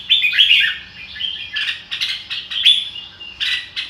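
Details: Red-whiskered bulbul song, "ro kích bổi" style, opening with a loud warbled phrase followed by shorter whistled bursts separated by brief gaps.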